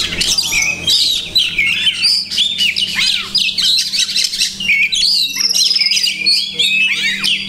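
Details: Oriental magpie-robin (kacer) singing with many borrowed phrases from other birds. Chattering bursts, downslurred whistles and high twittering trills, with brief pauses and a faint steady hum.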